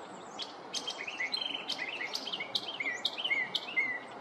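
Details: Neighborhood Northern mockingbird in morning song, cycling through imitations of other birds: varied short whistles and slurred notes, ending in a few rising-falling whistled phrases.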